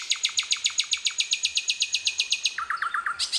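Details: Hill blue flycatcher (sikatan londo) singing in wild nature: a long, very even series of high buzzy chips, about five per second, then a short run of lower descending notes before the chips resume.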